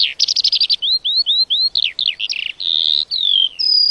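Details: Lark singing a fast varied song: rapid trills, short rising whistles, buzzy slurred notes and a sustained high note, phrases tumbling one after another with brief gaps.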